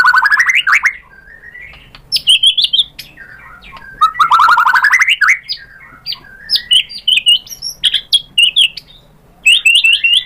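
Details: White-rumped shama, played to stir a bird into replying: rich rising warbled phrases alternating with quick sharp chirps and clipped whistles, bursts separated by short pauses.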